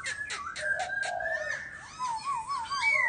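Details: Laughingthrush singing in a chattering manner: clear whistled notes around a steady tone, sliding phrases, then a rapid wavering trill and a final rising whistle.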